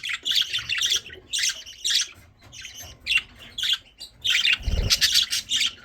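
Budgerigar chicks give harsh, raspy begging calls in rapid, overlapping bursts.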